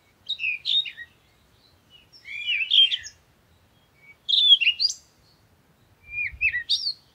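A parakeet gives four bursts of scratchy, chattering chirps, each about a second long, spaced every one to two seconds; the background is otherwise quiet.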